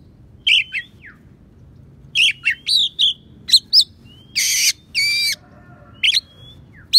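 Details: Oriental magpie-robin song carrying sparrow and prinia mimicry, used as tutor material for songbirds: quick bursts of high chirps and short whistles, two loud harsh rasping notes in the middle, then a clear descending whistle.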